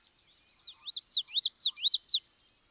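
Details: Common Yellowthroat sings a quick, whippy witchy-witchy-witchy, its high notes sweeping up and down in three rapid repeated phrases within about two seconds, with other birds audible in the background.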